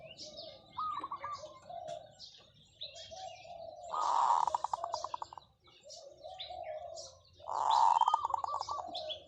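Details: Decoy zebra dove sings drawn-out calls: loud purring trills that break into bubbly, wavering coos, repeated three times, with small birds chirping behind.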